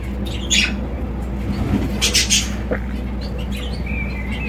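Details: Java sparrow sings in short bursts of bright, clicking chirps, with a louder cluster early and another about two seconds in, ending on a thin whistled note, above a steady low electrical hum.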